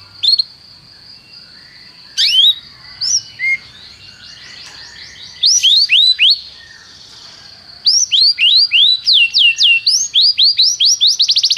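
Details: Canary training song: a long steady high whistle under scattered chirps and slurred notes, building into bursts of quick repeated syllables and ending in a fast, regular series of sharp rising notes.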